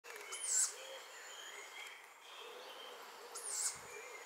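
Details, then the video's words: In Nettleton, Lincolnshire, a tawny owlet gives two high, hissing, wheezy calls about three seconds apart while faint birdsong carries on in the background. "Tawny owlet"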